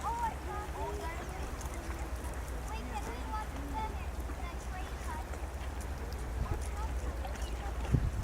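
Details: Sandhill cranes at George C. Reifel Migratory Bird Sanctuary, which has a nesting pair: several give short rolling, trumpeting calls that overlap throughout, over a steady low rumble of wind.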